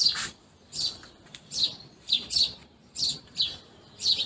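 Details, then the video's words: House sparrows feeding, giving loud sharp chirps in short bursts of one or two notes, repeated about every half second to second against a quiet background. "Sparrows Chirping | House Sparrows feeding Sound"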